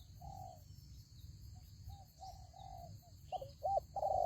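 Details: Spotted dove used as a lure in a trap. Soft, distant-sounding coos drift in first, then loud, close, hoarse coo notes at the end, all over a steady high insect hum.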